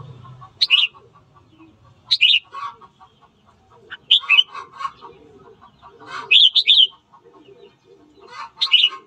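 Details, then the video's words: Red-whiskered bulbul singing in the morning for training to provoke fighting; loud whistled phrases roughly every two seconds, dropping in pitch, mixed with lower clucking chatter from other birds. "Luyện giọng chào mào hót sáng kích bổi đấu"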